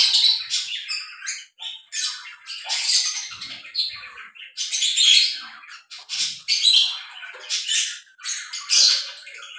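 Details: Breeding pair of lovebirds calling continuously in a dense, shrill chatter of squawks and chirps, bursts rising and falling every second or so with hardly a pause, all high-pitched and harsh.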